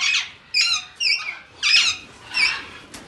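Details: Alexandrine parakeet calling five harsh, nasal squawks in quick succession, roughly one every half second, each loud and rasping with a slightly wavering pitch.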